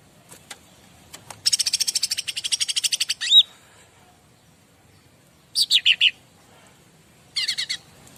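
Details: Bar-winged prinia sung as a master song to draw answers from other birds: a long rattling series of fast high notes ending in an upslurred whistle, followed by two short bursts of four to five chips.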